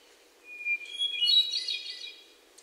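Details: A hermit thrush in Sudbury, Massachusetts, June 29, 2023, captured with a Sony PCM D50 and lavalier mics, holds a steady whistled note, then spirals upward into a bright, tumbling, echoing cluster of high flutey notes.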